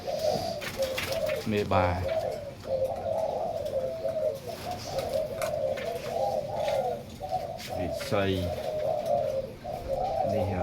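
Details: Captive zebra doves, many breeding pairs sharing a large cage in a room, keep up a steady babbling chorus of rolling, trilled coos, interrupted twice by brief louder chirping notes and faint room noise.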